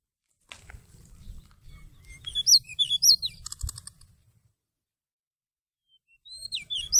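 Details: Seychelles magpie-robin song used as a trapping lure, November 2016: a rapid phrase of sharp, swooping high whistles with a buzzy rattled burst near its end, over a low rumble, then a new whistled phrase starting after a pause.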